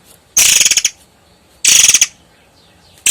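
Long-tailed sibia giving harsh, dry, high-pitched rattling bursts, each about half a second long, repeated roughly every second and a half.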